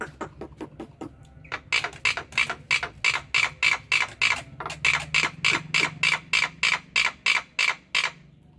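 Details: Black-winged myna calling busily in the morning, giving a long series of harsh, rasping notes repeated about three times a second over a low steady hum.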